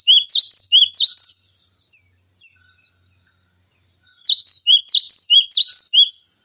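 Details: Cinereous tit singing constantly, a recording meant to teach other songbirds. Fast, piercing repeated phrases open the clip, fall silent for about three seconds, then return as another rapid run of high, ringing notes.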